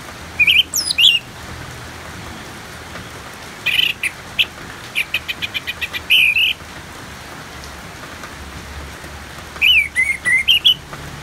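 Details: Orange-headed thrush singing amid rain in a calming therapy track; varied phrases of warbled whistles, including a rapid series of short clipped notes in the middle and a rising run near the end.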